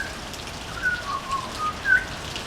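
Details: Several mellow whistled notes from a butcherbird singing on a veranda, alternating slightly higher and lower, the last one brighter and louder, with continuous hiss behind.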